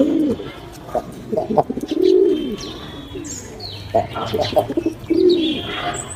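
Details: Pigeons foraging, with repeated low, rolling coos that rise and fall, arriving in bursts about every one to three seconds, mixed with quick clicks and faint high chirps of other birds.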